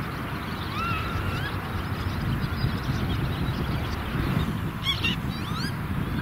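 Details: A northern lapwing with chicks chases off a redshank in a meadow-bird area, giving a few thin, wheezy, slurred calls that rise and fall, with sharper bursts near the end, over steady low wind rumble.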